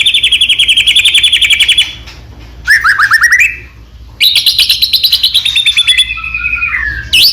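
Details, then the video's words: Shama song meant to set other white-rumped shamas singing. A fast ringing trill is followed by a sweep of rising notes, then another trill that ends in descending whistled phrases. "murai batu gacor AMPUH buat PANCINGAN murai batu agar bunyi"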